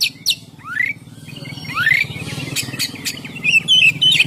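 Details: Oriental magpie-robin in a ngeplong-style song used to lure birds: long upward-sweeping whistles and sharp clicks, then a fast high warble, over a steady low background hum.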